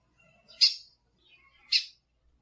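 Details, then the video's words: A pair of abrupt, harsh chips roughly a second apart, from a lined seedeater recording of male song and female calls used to stimulate birds. Faint soft notes lead into each chip. "CANTO DO BIGODINHO MACHO E PIADO DA FÊMEA BIGODINHO"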